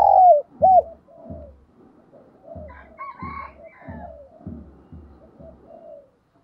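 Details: Spotted dove used as a decoy, urged to coo and call: two loud, hollow opening notes, then a steady run of soft, pulsing coos that fades out.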